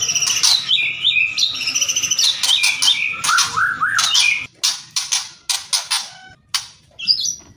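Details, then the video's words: White-rumped shama singing kretekan and whistles: rapid run of high whistled notes and a wavering lower whistled phrase, followed by dense harsh crackling bursts repeated at irregular intervals. "MURAI BATU... KRETEKAN & SIULAN"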